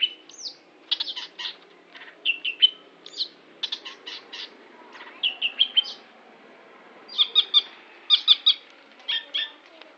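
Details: Long-tailed shrike delivering a varied song of clipped chirps, short scratchy bursts and repeated paired whistled notes, given in small clusters separated by brief silences.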